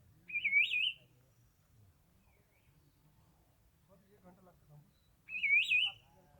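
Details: Himalayan bird song: two bright, warbled whistled phrases, each lasting under a second, about five seconds apart, with near silence and a faint low murmur between them.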